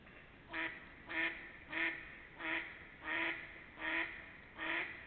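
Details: Quacking ducks, late March to early April 2021: seven coarse, nasal calls repeated roughly every two-thirds of a second, clear over a faint hiss.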